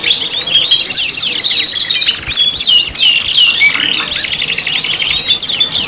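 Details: Five-in-one canary lure song ('pancingan kenari'): a thick tangle of high twittering, looping whistles and rattling trills, with a brief lower warble midway.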